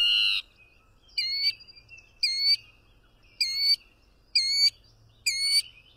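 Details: A mockingbird repeats one rasping, layered phrase about once a second, five times after an opening burst, with a faint steady tone between phrases and no other sounds.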